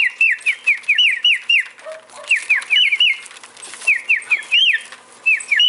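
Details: Quick bursts of short, bouncing whistles from a male cockatiel, each note rising then dropping sharply, delivered in clusters of three to six.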